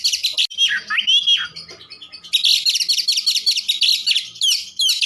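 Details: Kacer, the Oriental magpie-robin, singing a full-fill lure song meant to rouse other magpie-robins: rapid high chattering bursts, a few looping whistled slurs, then a long unbroken stretch of dense scratchy warbling.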